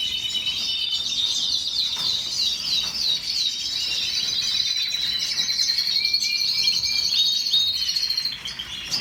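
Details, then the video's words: Canary singing a continuous high song of rapid trills and rolling phrases, with pure whistled notes sliding through the middle and a sustained bright trill near the end, fast repeated elements almost three per second. "کەناری الكناري canary bird"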